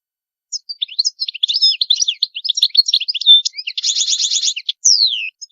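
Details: European goldfinch in continuous song: a quick jumble of twittering notes building into a dense buzzy trill, then a clear descending whistled slur at the end, with no background noise.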